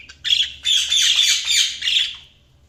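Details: Budgies chirping: a short burst of dense, scratchy warbling with quick chattering notes. It starts with a brief chirp, swells into a continuous busy chatter for about a second and a half, then fades out. The background is quiet.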